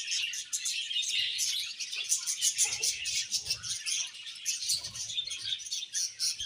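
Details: Several budgerigars chirping continuously in a dense, overlapping chatter of high, scratchy twitters and short squeaks, a steady wash of sound with occasional soft rustling and thumps.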